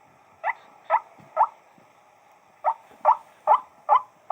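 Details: White-breasted waterhen (wak-wak bird) giving harsh, mid-pitched croaking notes: three evenly spaced, a pause of about a second, then four more, each note a short rasping burst.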